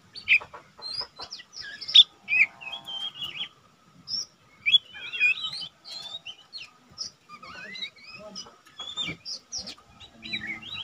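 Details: Lesser green leafbird, a young untrained cage bird that sings often, used as a tutor for training cage birds: a varied jumble of quick whistled and chattering notes, rising and falling slurs, with a faint low hum behind.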